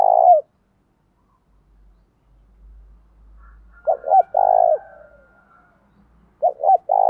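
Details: Decoy spotted dove coos to set off other doves: the tail of one phrase, then a full phrase of two short notes and a long low coo, then another beginning, with faint low rumble between.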